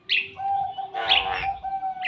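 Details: A white-eyed jalak kebo myna, said to imitate human speech, gives a steady hummed tone under two brief, hoarse, breathy bursts like a few muffled spoken syllables.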